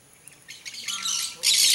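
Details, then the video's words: Blaze-winged parakeet (Pyrrhura devillei), rare in Brazil and found only in Mato Grosso do Sul, giving harsh, scratchy screeches that build over under two seconds, ending in a loud grating burst. "BLAZE-WINGED PARAKEET (PYRRHURA DEVILLEI), TIRIBA-FOGO"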